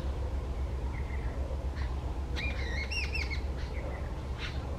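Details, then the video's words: Loud calls of an angry jungle babbler: several scratchy, squealing notes packed into under a second, with rising and dipping inflections, plus a few faint scattered notes, against steady low-pitched rumbling noise. "Calls of a Jungle Babbler"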